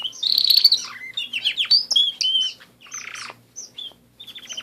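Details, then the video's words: Pet canaries in song: dense high warbling trill, then varied whistled slides and short chattering notes at about four per second. "My Canary Friends"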